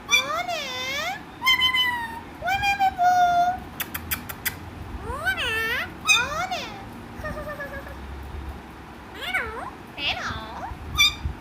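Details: A very talkative parrot gives a rapid series of voice-like calls. Looping, rising-and-falling tonal phrases are mixed with sharp clicks and short bursts, nearly continuous over the stretch, with light background hiss.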